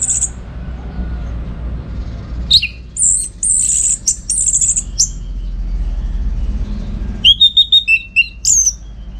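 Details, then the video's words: Orange-headed thrush, recorded as tutor song for contest birds, delivers very high buzzy phrases and sharp notes, then after a pause a rapid chattering run of crisp, ringing whistles. "Masteran ANIS MERAH Gacor"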